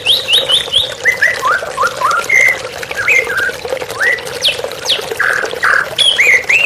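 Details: Over a background of running water, a white-rumped shama opens with a quick series of high repeated notes, then sings mellow descending whistles and sharp upslurs, with two buzzy bursts near the end.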